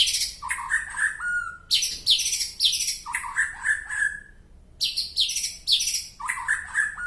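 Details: White-rumped shama from Penaron, East Aceh, with an unusual song: loud bursts of high, sharp notes alternating with lower slurred whistles, phrases separated by short pauses.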